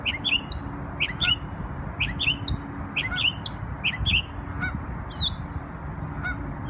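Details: Bird singing in New York on Memorial Day: short twittering phrases of two or three rising and falling notes, repeated about once a second, with steady background hum.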